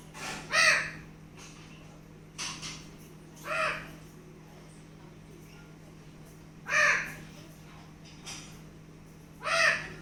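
Alexandrine parakeet imitating a crow: harsh, nasal caws, single or paired, every two to three seconds over a steady low hum.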